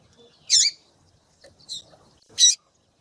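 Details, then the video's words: Female double-collared seedeater calling eagerly to excite a male, used by Brazilian breeders: three short, harsh, buzzy chip notes with a downward-curling tail, spaced about a second apart, the middle one softer. "FÊMEA DE COLEIRO CHAMANDO MUITO QUENTE FOGOSA E PIANDO"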